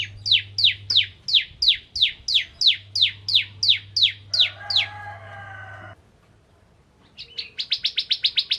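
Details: Bar-winged prinia, kristal variety, singing hard as a lure for other prinias: about thirteen high, downslurred notes at an even pace, then a brief lower tonal sound, a silence, and a final quick series of sharp chips.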